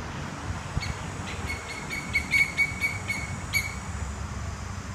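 A Martial eagle gives a quick series of thin, high, clipped notes over about three seconds, against a steady low rumble of wind or distant engine.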